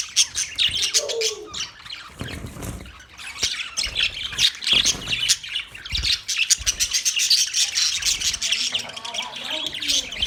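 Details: Chattering Australian budgies: busy, overlapping high chirps and squawks with uneven bursts of loudness and a few lower warbling notes mixed in.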